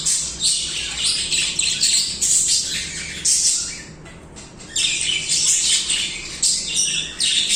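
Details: Budgerigars chirping and warbling together in quick high bursts, scratchy chatter broken by a short quieter gap midway before the group resumes.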